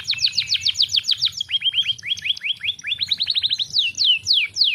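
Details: Canary singing to stimulate lazy canaries: clear rapid chirps repeated several times a second, shifting to lower looped notes, a quick rising run, and a few spaced downslurred whistles.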